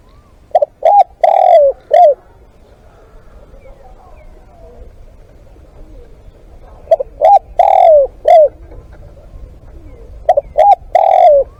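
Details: Spotted dove used for live decoy luring, cooing in three spaced phrases: quick double hoots, a long falling croon, then a short final coo, over a faint low rumble.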